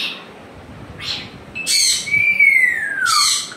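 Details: Pet African grey parrot at home: harsh, breathy squawk bursts, then a long clear whistle that slides gently downward before a final rough burst.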